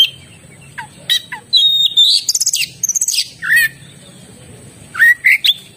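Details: Varied oriental magpie-robin song: short downslurred notes, a sustained high whistle, a rapid series of clicking ticks, a buzzy burst and a few swooping whistles, separated by quiet gaps.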